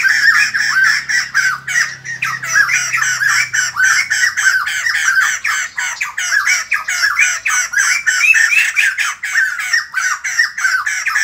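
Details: Raucous morning chorus of white-crested laughingthrush (bồ chao) lasting over ten seconds: dense, rollicking laughter-like chatter in quick pulsing bursts that rise and fall steadily, with a faint low hum in the first few seconds.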